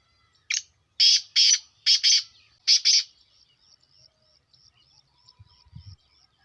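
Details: Calling black francolin (kala teetar): a clipped opening note and then two pairs of loud, rasping, buzzy notes, fading into faint thin ticks with a short low thud near the end.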